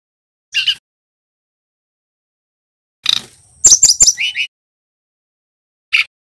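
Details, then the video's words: A Bali male Brown-chested Jungle Flycatcher still learning to sing: an isolated buzzy note, then a hurried string of sharp clicks and high whistled slurs dropping into lower buzzy chips, with one final buzzy note. "Burung SRDC bali belajar bunyi - Suara TERAPI pancingan sikatan rimba dada coklat"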